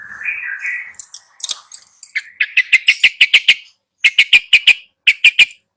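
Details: Long-tailed shrike song for teaching a silent bird to sing: a wavering lower warble opens, then rapid series of sharp clicking notes in clusters of five to eight, separated by short pauses.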